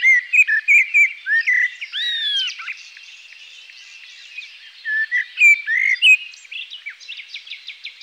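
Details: Common blackbird (Turdus merula) singing mellow, fluted whistled phrases that slide up and down, broken by pauses and ending in a thin, high twitter.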